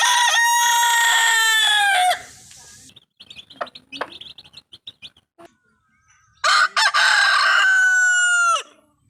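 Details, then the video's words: Rooster crowing twice: long, loud, harmonic calls held about two seconds, each ending with a falling slide. Between the crows there are brief clicks and soft chirps. The background is otherwise quiet. "Rooster Crowing Clips"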